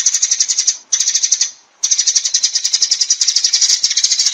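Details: High rattling chatter of a sparrow summoning the flock, a long fast-pulsed run interrupted by one short pause and one longer quiet break.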